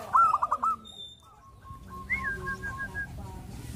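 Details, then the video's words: Zebra dove song used as a training recording to get doves cooing: one loud stuttering burst of quick, even notes, then softer whistled phrases from other birds. "MASTERAN BURUNG ANGGUNAN || BIKIN PERKUTUT JADI RAJIN MANGGUNG"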